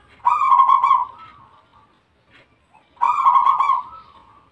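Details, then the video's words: A zebra dove (Bangkok-type perkutut), singing often and loudly, gives two bursts of rapid, soft staccato cooing about three seconds apart, each a quick burry run of notes that trails off. "perkutut Bangkok gacor nomer satu"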